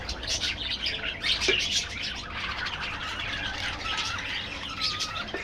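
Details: Many budgerigars calling together in an aviary, continuous high twittering and squeaky notes with a few drawn-out whistles, a constant chorus without breaks.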